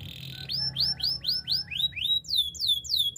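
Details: Canary song for training: a short trill, then a series of arched rising-falling whistled notes about four per second, ending in fast high descending sweeps.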